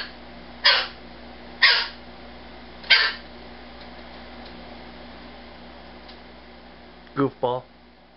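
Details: A rescued male umbrella cockatoo kept as a house pet utters three harsh screeches about a second apart, then a pause and two shorter raspy calls, while a man talks to him in a small room.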